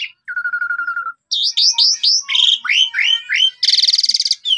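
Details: Asian pied starling singing, recorded by phone in Subang as a lure to make listless caged birds answer. Opens with a low rattling trill, then quick rising whistled notes and chatter, ending in a loud grating buzz.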